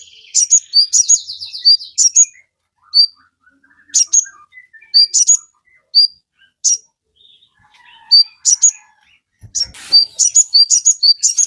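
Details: Crimson sunbird (sogon) in full chattering song, played as a lure to set captive birds singing. High, thin chirps and sharp tweets come in short bursts separated by brief pauses, with a soft low thump near the end.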